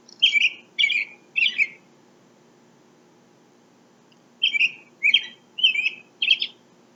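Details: American Robin singing: three clear, warbling whistled phrases in quick succession, a silent gap of over two seconds, then four more similar caroling phrases, with a quiet background.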